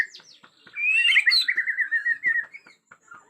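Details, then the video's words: Agitated white-rumped shama from Borneo singing in natural forest: a loud, rich run of varied whistled notes, with sweeping and warbling phrases around the middle and a few sharp clicks and short chips before and after. "Murai Batu Borneo Ngamuk suara asli hutan"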